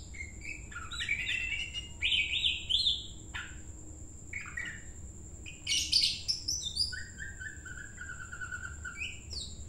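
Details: Greater green leafbird singing energetically while being trained for a field singing competition: varied fast chirps, trills and whistled slurs in quick bursts, quiet overall, with a steady high electronic whine throughout.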